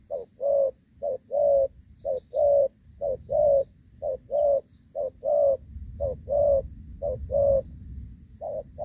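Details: Spotted dove decoy cooing in gù vấp style during rainy-season trapping in Vietnam, a long steady series of low short-long note pairs about once per second over a soft low rumble.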